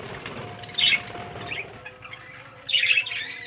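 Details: Australian parrots in a colony give two bursts of harsh, screechy calls, one early and one near the end, separated by a quieter gap with a low steady hum in the background.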